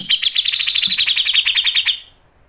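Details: Grey-cheeked bulbul in sharp 'mbeset' and 'nembak' style, used as training and lure material: a buzzy, rapidly pulsed trill of about twenty even notes over roughly two seconds, then stopping, with a faint low thump near the start.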